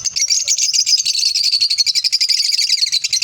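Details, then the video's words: Continuous high, rapid pulsed chattering from lovebirds runs without a break for over three seconds, a fast ticking, buzzy stream of squeaks. "Love birds sounds"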